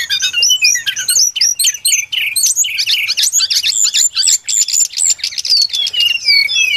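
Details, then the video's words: Brown-chested jungle flycatcher song, used as a lure for trapping: fast stream of high chirps and twisting whistles, settling into a series of clear repeated slurred notes. "Suara pikat burung sikatan SRDC Sikatan rimba dada coklat"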